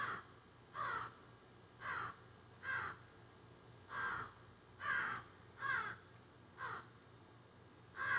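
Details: A group of crows calling from backyard trees, captured on a phone while the recordist was outside tending plants: about eight hoarse, grating caws at steady intervals of just under a second, with a quiet low background drone.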